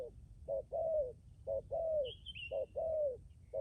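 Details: Decoy spotted dove cooing in a regular pattern, each short note followed by a long, slightly falling coo, repeated three times, with a high chirp in the background.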